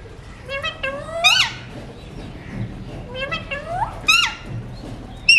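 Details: Pet Alexandrine parakeet talking indoors: bursts of harmonic, sharply rising voice-like calls, the loudest near the start and again after four seconds, over a low room hum.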